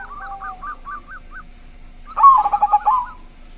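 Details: Zebra dove with a big voice whose song prompts other doves to start. A row of six soft, arched coos, then one loud, bubbling burst of about seven fast pulses lasting nearly a second.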